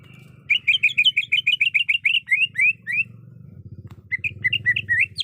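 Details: Calling to a male, a breeding-condition female greater green leafbird gives a brisk chain of sharp, upward-flicking chirps, slowing toward the end, then falls silent for about a second before resuming with quicker, sweeping notes over a low hum.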